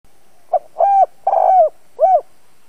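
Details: Spotted dove kept as a lure bird to draw and provoke wild doves, giving one low cooing phrase of four soft hoots: a short opening note, then two longer level coos and a final falling coo.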